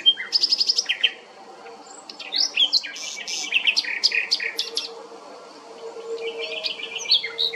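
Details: A common nightingale sings at Strázsahegy, Monor wine-cellar village, Hungary: a quick run of repeated high notes, then varied, rich whistled and chattering phrases, over a faint low hum.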